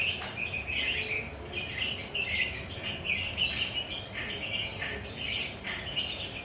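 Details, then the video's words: Lovebird perched and relaxed, chattering in lively style: a dense, continuous stream of shrill, scratchy chirps and squeaky notes with irregular bursts, over a steady low background hum. "Suara Burung Lovebird Gacor Ngekek Mantab"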